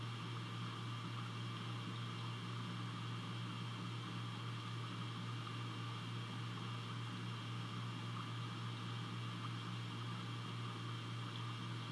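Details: A steady mechanical hum with a strong low drone and broad hiss, like a fan or engine, with no animal calls.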